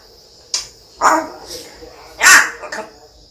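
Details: African grey parrot, the kind known as a champion talker that repeats words, giving short speech-like vocal bursts: a sharp click-like note, then two louder voiced phrases near one and two-and-a-half seconds, over a steady high electrical whine.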